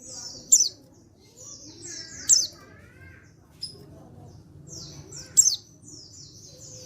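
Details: Calling male white-eye, untrained, from Pacitan, meant to make other white-eyes respond. High sweeping downward notes repeat about every two seconds. Softer lower wavering chirps and a low murmuring background are also present.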